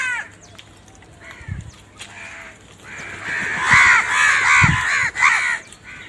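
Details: Loud crow calling: a rapid run of harsh, ragged caws builds after a quieter opening, some overlapping as if several birds call together, over low background rumble.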